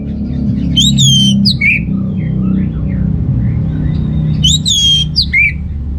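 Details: Orange-headed thrush song aimed at stirring males with weak breeding drive: two separate phrases, each a high ringing whistle with overtones dropping into short warbled notes, above continuous low hum.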